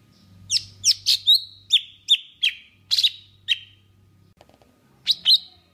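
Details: Vietnamese golden-fronted leafbird lure song for bird trapping: a run of crisp, down-slurred chirps in quick succession, a short pause, then two more bright notes over a faint low hum.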